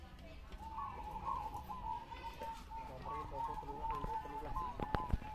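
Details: Several zebra doves competing in a Ngawi singing contest, 18 September 2022, mixed session, give continuous bubbling coo phrases at one steady pitch, with low murmuring voices and a few sharp knocks.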